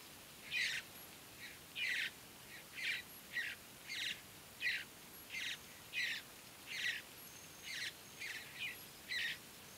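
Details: Mountain bluebird juveniles and adults in early morning at Great Sand Dunes National Park, Colorado, with young being fed and begging; short bursts of chattering notes repeated roughly every second, over a faint steady high insect hum.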